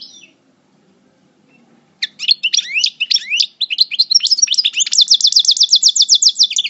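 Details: European goldfinch in moult, paired with a Parva, singing from El Bordj: after two seconds of quiet, a fast run of bright, high twittering notes and sweeping chirps turns into a rapid, steady trill of repeated buzzy notes.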